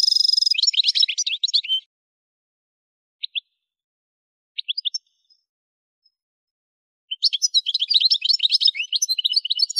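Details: Algerian goldfinch (parva), Kef El Hamam, Souk Ahras region of Algeria: a twittering phrase ending abruptly, a few isolated short chirps across a long quiet stretch, then a renewed rush of bright, rapid twitters to the end.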